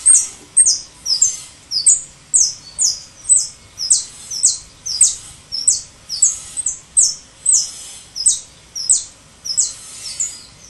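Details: European goldfinch singing to teach young birds. Very high, clipped metallic notes come in quick bursts, about two a second and unevenly spaced, over an otherwise quiet background.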